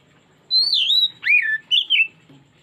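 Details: Oriental magpie-robin pancingan phrase for drawing out another bird's repertoire: one long high whistle easing downward, then a deeper curved slur and two brief warbled notes, clean and loud.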